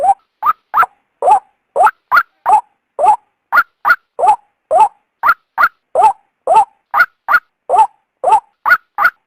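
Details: Female white-breasted waterhen calling, a sound used to lure the male out of its habitat: loud, clipped nasal notes in a steady run, alternating a lower and a higher pitch, several each second, with clean silence between.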